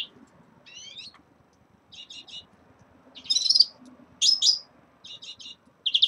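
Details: Captive red-fronted serins at the start of their moult twitter in high, tinkling bursts of quick buzzy triplets and bright chirps about a second apart, over a faint low hum.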